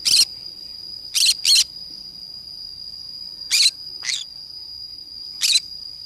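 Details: Green-cheeked conure playing alone in a forest, giving six short, harsh, broadband screeches spread irregularly over six seconds, two of them in a quick pair, over a steady high-pitched insect drone.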